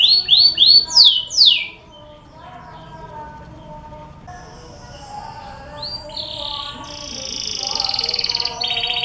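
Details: Canary lure song played to prompt canaries into singing. It opens with a rapid run of bright, swooping whistled notes for about a second and a half, then turns quieter with mixed tones and ends in a buzzy, rattling trill.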